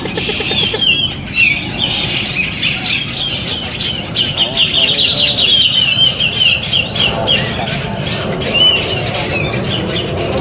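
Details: At a Sunday songbird contest held 27 September 2020, a winning grey-cheeked bulbul delivers a carrying song of tight, high notes: rapid wavering trills and chattering phrases running almost ten seconds, with other birds and a noisy crowd behind.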